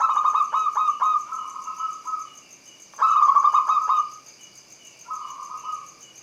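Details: Local zebra dove, opening phrase of its song: rapid trilled cooing bursts on a steady mid pitch, one long trill at three seconds and a shorter one later. A constant high-pitched hiss runs throughout.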